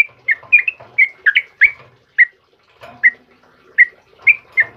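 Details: Morning song of a sooty-headed bulbul, a trucukan kebo, in full voice: clear whistled chirps, some doubled, come in an uneven series with short pauses and a faint low flutter between them.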